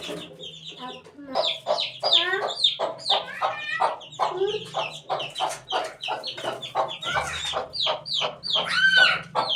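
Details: Eighteen-day-old chicken chick voicing quick, high, falling chirps repeated many times a second, forming a busy chattering chorus over a low hum.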